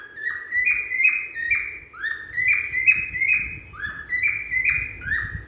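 A cockatiel whistles a looping run of bright, sliding notes, rising and dipping over and over.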